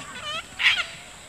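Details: Wild sulphur-crested cockatoos (Cacatua galerita) at Sherwood Arboretum at dusk, in a group of about thirty on a lawn apparently squabbling over a stick, give a nasal, wavering cry, then a single harsh, grating screech.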